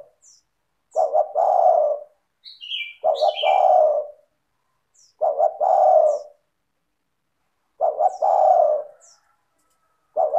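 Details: Tekukur or spotted dove, vigorous and clear, singing to lure other doves to call: five low cooing phrases spaced about two seconds apart, each a quick double note and a long falling hoot, plus a few high chirps near the start.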